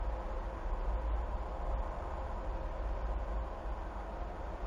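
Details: Constant low hum and hiss, like distant traffic or machinery, continues throughout without any animal calls.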